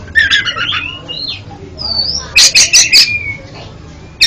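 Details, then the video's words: Oriental magpie-robin song meant to train a stuttering caged bird, with soft warbled whistles giving way to a cluster of loud harsh chips and a long level whistle, then a final sharp note. "TERAPI KACER ANDA YANG GAGAP BUNYI JADI JOSS KICAUANNYA"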